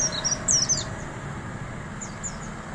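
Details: Oriental white-eye caught in the wild giving a brief high whistled 'riwik' phrase, a few sharp descending notes followed by fainter ones, over low background noise.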